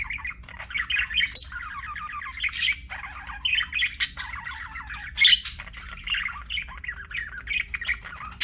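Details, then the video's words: Budgie chirping sounds: busy scratchy warbling with repeated bright, sharp chirp spikes and a faint low hum under the chatter. "BUDGIE CHIRPING SOUNDS"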